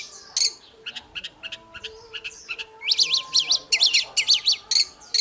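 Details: Morning fighting song from an oriental magpie-robin, used to spur other magpie-robins to sing: scattered quiet chips, then a fast string of strong repeated zigzag whistles, about two per second.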